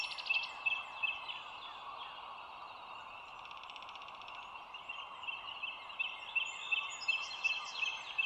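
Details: Bald eagle at the Dulles Greenway nest cam on the morning of 25 March 2022, 07:16. Quick runs of high, thin, piping notes open and close the clip, with a quieter stretch between, over constant hum and faint higher bird chirps.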